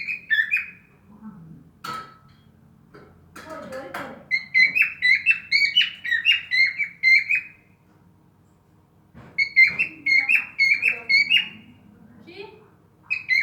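A cockatiel sings bright, warbling whistled phrases, broken by short pauses.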